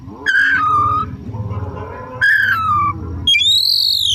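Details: Afternoon lure song of an Oriental magpie-robin: two drawn-out whistles stepping down in pitch, then a high arching whistle, over a steady low mechanical rumble.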